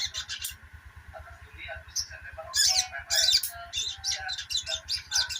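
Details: Rapid high twitter of a sogok ontong, used to prompt silent birds to start singing; scattered sharp chirps building into denser bursts of high notes, with a steady hum and low rhythmic thumping.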